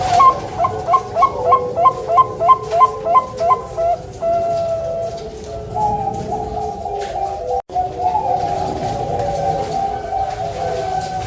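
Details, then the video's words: Zebra dove (perkutut) of the Bangkok type at a bird farm in Surabaya, East Java, Indonesia: a run of about ten rhythmic, soft, bubbling coos, then overlapping cooing from other doves with steady background noise. "PERKUTUT BANGKOK SUARA FULL POWER"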